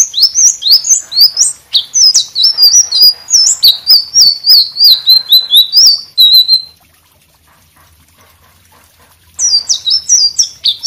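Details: White-rumped shama in vigorous song, used to tutor other birds: rapid high whistled and chirping phrases, varied and tumbling, about six seconds of continuous song, a silent pause, then another burst of bright notes.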